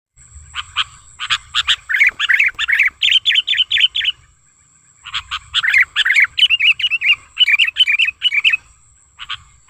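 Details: Sooty-headed bulbul lure call, described as natural and used for luring and tutoring bulbuls: two bursts of rapid chirpy notes, each building into a fast run of bright, wavering, slurred whistles, with a faint steady high tone behind.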